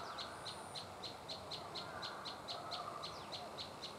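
A prinia repeats a sharp, high ticking note about four times a second in a steady run, over a soft background hiss.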